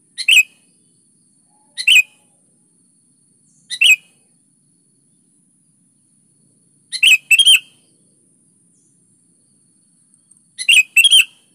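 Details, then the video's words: Sooty-headed bulbul singing vigorously, used as a lure to prompt other bulbuls to sing: short bubbly, liquid phrases of two or three quick notes, given in five bursts at uneven intervals of two to three seconds against a quiet background. "SUARA BURUNG KUTILANG GACOR"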